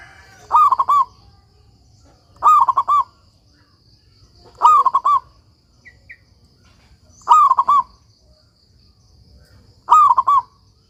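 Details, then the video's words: Local Indonesian zebra dove in strong, persistent voice, used as a master recording to teach other doves: a bright, bubbling, rolling coo repeated about every two and a half seconds, five phrases over a faint low rumble. "suara perkutut lokal gacor"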